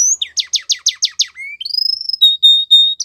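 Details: Belgian canary singing a training song for young canaries. Six rapid downswept notes come first, then a low whistle rising into a long clear tone, ending with three steady, evenly spaced whistles.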